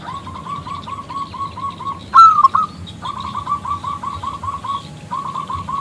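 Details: Local zebra dove calling to coax a male into song: soft, quick runs of short even coos, broken by one louder, drawn, falling note.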